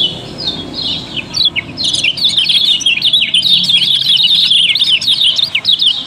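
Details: Yellow-bellied prinia from Lombok, a kept songbird used in song contests, singing as a lure to set other birds singing: dense, busy chirping high up with quick twisting notes overlapping, about two per second, faint low hum beneath.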